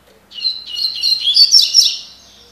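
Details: Double-collared seedeater, or coleiro, delivering its tui tui (tocó) song style: a loud continuous phrase of rapid high chirps and whistles lasting about one and a half seconds, rising in intensity before fading.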